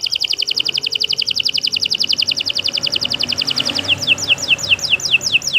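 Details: Canary song made of a long rapid trill of repeated high notes that gives way to a slower series of clear down-slurred whistles near the end.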